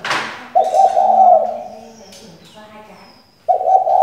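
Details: Decoy hen spotted dove used to make males sing, giving a long, low, purring coo followed by a softer lower droning note, then a new coo starting at the end; a brief noisy burst opens.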